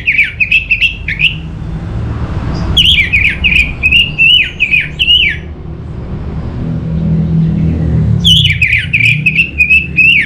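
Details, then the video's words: Orange-headed thrush singing to lure other birds into song: two long bouts of fast, jumbled whistled phrases with sharp upward flicks, separated by a pause, over a low rumble. "Suara ANIS MERAH Cepat Gacor Pancingan Jitu"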